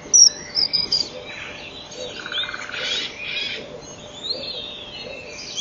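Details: Common kingfisher in its nest on 7 April 2013 at 07:26, the female cleaning the nest chamber with male and female taking turns inside. A few loud, short, thin high whistles come first, followed by softer scratchy rustling.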